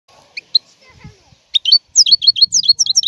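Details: European goldfinch singing: after a few scattered high chirps, a rapid run of tinkling, twittering notes starts and continues, with bright, clipped syllables repeated several times a second, plus faint low rumbling early on.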